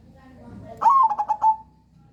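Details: Single song phrase from a crossbred zebra dove, played to lure other doves into song: a rising note leading into a quick pulsed series of coos, ending on a longer tone, with faint low murmurs before it.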